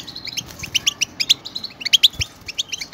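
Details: European goldfinches in a group song meant to motivate caged goldfinches: bright, rapid twittering notes and short liquid trills come in two dense bursts, with clear accented chirps.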